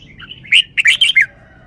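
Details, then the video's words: Red-whiskered bulbul kept as a cage bird, showing its wild-style song: soft twittering leads into four bright, rapid, slurred whistled notes in quick succession, clear and close. "นกกรงหัวจุก 1033 จ้าวมาดี สำนวนดี"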